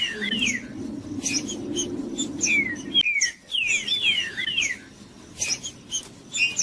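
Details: Green-winged saltator in a cage singing in bursts of clear downslurred whistles separated by short pauses, with a low hum early on and faint chirping.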